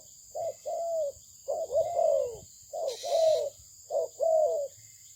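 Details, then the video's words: Good-voiced Malaysian spotted dove giving rounded, soft coos: short lead-in notes followed by longer falling coos, in three phrases, with a brief rustle midway and a constant background whine. "លលកធ្នាក់ម៉ាឡេស៊ីពូជល្អ សម្លេងល្អ លេងល្អ - Terkukur Mania - The Sound Of the dove"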